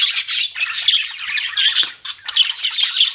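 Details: Budgerigars chirping in a dense, continuous chatter of high warbles, squeaks and short buzzy notes, overlapping with hardly a pause and briefly dipping near the two-second mark.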